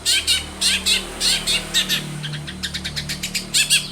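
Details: Lure recording of a long-tailed shrike to prompt singing: loud, scratchy chattering bursts repeated several times a second, then a quicker run of short notes, over a steady low hum.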